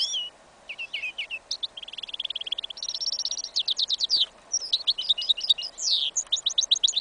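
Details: Goldfinch × yellow isabel canary hybrid in winter field, singing a continuous incomplete song: high twitters, a steady buzzy trill, fast rattling note series and sharp chirping flourishes.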